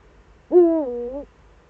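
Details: Eurasian eagle-owl, Eifel, 4 February 2014, 7:27 to 7:46: a single loud hoot lasting under a second, steady at first, then dipping and rising slightly at the end, against near silence.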